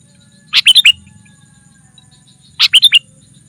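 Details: Sooty-headed bulbul calling to attract wild rivals: two crisp four-note chirping phrases, each lasting under half a second, separated by about two seconds of near silence.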